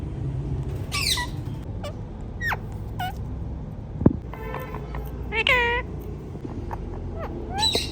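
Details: Pet ringneck parrots with scattered short squeaks and harmonic chattering syllables, one buzzy stacked call, and a sudden tap partway through over steady low room hum.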